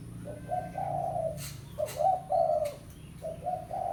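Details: Spotted dove lure call in pesom style, calling a rival: three mellow cooing phrases with short pauses, a few sharp clicks between them, steady low hum in the background.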